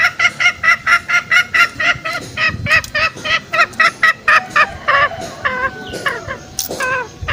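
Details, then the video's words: Green junglefowl lure call for snaring wild males in the forest: a rapid train of short, bright, harmonic notes that slows and breaks into scattered, sliding calls toward the end. "Pikat ayam hutan hijau suara masteran dan pikat paling ampuh"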